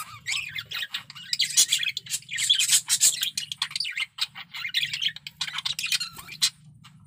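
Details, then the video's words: Male budgerigar, breeding condition, producing a dense, fast warble of scratchy chirps, squeaks and clicks, rising into a loud continuous twitter before a short lull and more chatter. "Suara Burung Parkit Jantan || BIRAHI PARAH"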